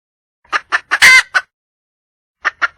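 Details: A wild junglefowl hen calls for a male with a few clucks around one loud, harsh squawk, then a second of silence before two more clucks.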